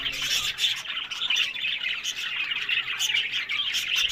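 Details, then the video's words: Many budgerigars kept as breeding pets in Larkana, Sindh, twitter and squawk together, a dense, bright chatter running steadily throughout. "Buddies Parrot Voice"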